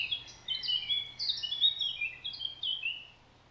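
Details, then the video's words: Thrush nightingale in the Rawka river valley, Poland, giving a varied warble of sliding, fluty whistled notes, rising and falling, over steady low background noise. "Słowik rdzawy."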